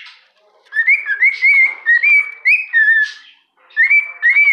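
A cockatiel sings a string of clear, slurred whistles, rising and falling in short repeated phrases.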